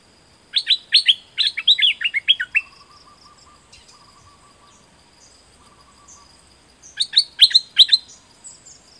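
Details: Song for training birds: a rapid string of clear, downslurred chirps, a pause filled with a soft low buzzing hum, then another quick burst of chirps.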